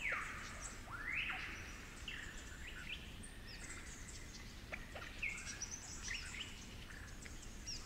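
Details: Superb lyrebird ('flute lyrebird') in cool, damp forest of the Werrikimbe Wilderness, New England Tablelands, New South Wales, where males sing fully in winter, gives varied, scattered whistles and clear chirps, some sliding upward, over a steady low forest rumble.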